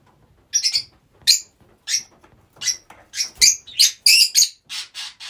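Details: Rosy-faced lovebirds housed together as a group, giving sharp, high, shrieking chirps, single at first and then coming faster and overlapping near the end, on a quiet background.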